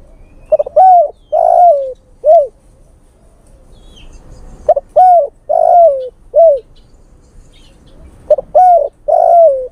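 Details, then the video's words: Lure call of a male spotted dove calling a female: three near-identical phrases roughly every three and a half seconds, each a brief note followed by three mellow coos, the middle one longest and slightly wavering. "SUARA PIKAT TEKUKUR JANTAN memanggil betina"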